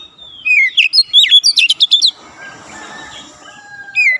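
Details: Dense nembak rapat song of an oriental magpie-robin for training young birds: one rapid burst of high, twisting whistled notes, then soft hiss before a new phrase begins.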